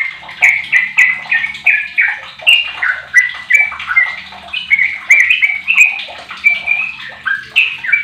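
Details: Sooty-headed bulbul, a 15-year-old lure bird meant to start other bulbuls singing: a steady stream of quick slurred phrases, each note dropping then lifting, roughly two to three a second, with a faint low hum beneath.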